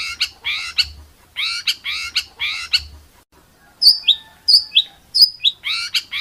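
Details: Contest songbird tutor recording, rough 'tembakan' style: paired harsh descending notes repeated, a brief pause, then piercing high whistles dropping sharply in pitch, ending with renewed harsh phrases.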